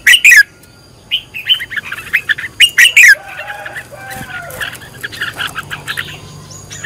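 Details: A red-whiskered bulbul decoy in căng lửa training gives two strong, slurred chirping phrases, with softer twittering between them and scattered lower, rougher notes in the second half.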